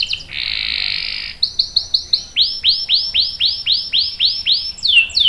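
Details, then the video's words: Canary in vigorous rolling song used as a tutor and prompt for young birds: a dense buzzy trill, then a string of short whistled slurs, followed by broader, louder down-sweeping notes repeated about twice a second. "KENARI GACOR NGEROL panjang bagus untuk PANCINGAN dan MASTERAN paud | CANARY SINGING"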